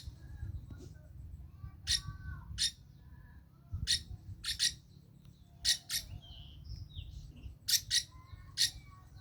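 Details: Iris lorikeet lure song meant to prompt other birds to sing: short, harsh, broadband screeches, singly or in quick pairs, about every one to two seconds over a steady low rumble.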